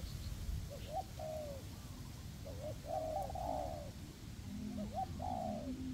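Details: Two decoy spotted doves calling in a forest to attract wild doves for trapping; three low coo phrases, each with short rising hoots and a drawn-out falling note, plus a faint lower hum.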